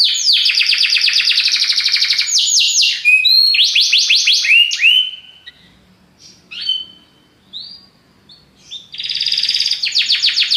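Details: Belgian canary singing powerfully: long fast rattling trills and rapid descending notes, then a quieter stretch of scattered soft chirps before dense rapid trilling returns.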